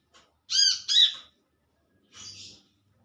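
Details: Olive-backed sunbird calling to its companions, giving a pair of rasping, harmonic-rich notes close together, followed a second later by a softer, hissy, drawn-out note over faint low rumbling.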